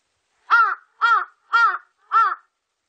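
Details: Large-billed crow giving four harsh, nasal caws spaced about half a second apart, each with a slightly arched pitch, against a silent background.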